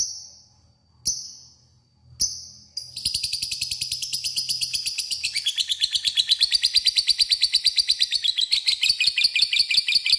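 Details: Lovebird giving a long 'ngekek' chatter used as a lure to call a rival: three harsh separate calls, then a fast, even run of buzzy high notes, about three per second, steady to the end.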